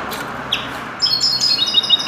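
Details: Common linnet trained to sing in the goldfinch's style: after a second of quiet hiss, a bright burst of high, rapid twittering and ringing trills starts and runs on to the end.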